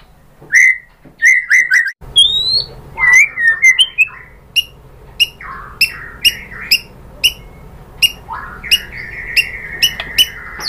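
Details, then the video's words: White-rumped shama song for triggering singing: clear whistled notes repeated in a short group, followed by scattered sharp chirps and a final sustained whistle. "bikin NYAUT ‼️ MURAI BATU jadi EMOSI GACOR BONGKAR ISIAN ¦ PANCINGAN MURAI"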